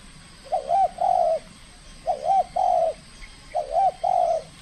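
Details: Spotted dove, a trained young competition bird in Kepri during its first contest, coos in three evenly spaced phrases, each a short wavering note followed by a longer steady hollow coo, with a faint steady hum behind.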